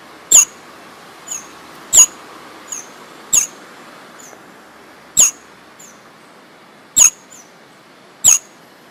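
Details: Sparrow in the jungle giving single sharp, very high chirps, each sliding briefly downward, about seven loud notes at irregular one-to-two-second gaps, with fainter answering notes between and constant background hiss.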